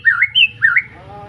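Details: Caged young white-rumped shama just past its juvenile moult, of an Arko Tangerang bloodline, in Pemalang, Indonesia, sings two paired phrases: a slurred whistle dipping then rising, followed by a higher clear note, repeated twice within about a second.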